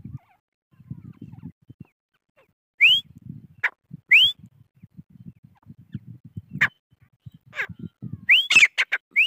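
Grey francolin giving shrill, rising whistled notes with sharp clicking accents, repeated every second or so, over a low rumbling of handling or wind noise.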